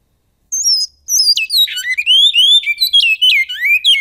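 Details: Great-billed seed finch singing in the Goiano song style: after a brief high opening note and a pause, a fast run of clear whistled slurs, some rising and some falling, alternates with sharp downward-sweeping notes.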